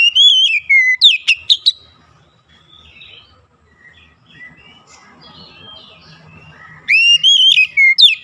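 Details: Oriental magpie-robin lure song for getting silent, reluctant magpie-robins to sing: loud, sweet whistled phrases sliding up and down, a burst at the start and another near the end, with faint distant chirping in the quiet gap.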